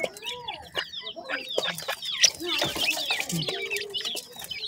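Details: Francolin chicks, locally called dakhni teetar, give a dense chorus of short, high, overlapping chirps and twittering notes with scattered lower clucking sounds.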